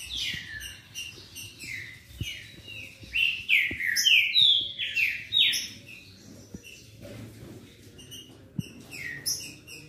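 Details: Green-winged saltators in a song duel meant to fire up another bird into singing: loud, slurred whistled phrases sweeping downward, overlapping and tumbling over each other almost continuously, with faint low thumps beneath.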